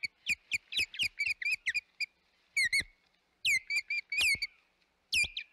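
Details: Osprey at the Hog Island nest, 25 May 2021, sounding rapid clipped chirps with knocking clicks, then louder, drawn-out downslurred whistled yelps in small bursts separated by short pauses.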